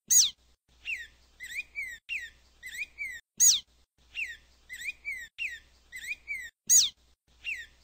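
Black-throated grosbeak singing: a loud, sharply falling whistle about every three seconds, with quicker, softer whistled notes in between.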